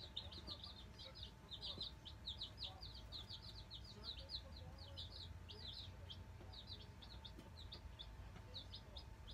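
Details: Black Australorp chicks, nine of them, peeping almost continuously as they settle in a brooder, with short high cheeping notes overlapping throughout and a constant low mechanical hum behind.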